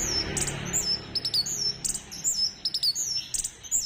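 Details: Orange-headed thrush, used as a lure to stimulate other birds into singing: high thin whistled and slurred notes in short bursts with sharp clicks between, repeating unevenly over a soft background hiss.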